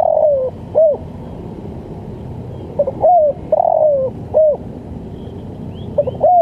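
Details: Spotted dove calling 'lambung kuk', recorded for training and luring birds in East Java: clear repeated phrases, each with clipped opening notes, a wavering descending coo and a sharp closing note.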